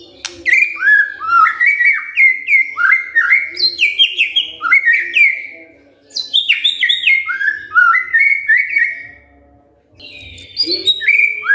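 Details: White-rumped shama responding when provoked with a varied run of rich slurred whistles and chattering notes, pausing briefly before resuming, with a soft low hum beneath.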